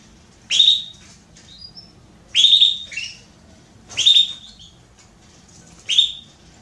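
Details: Female Belgian canary soliciting mating, giving four loud upswept whistled calls at irregular intervals of about one and a half to two seconds, with soft chirps between.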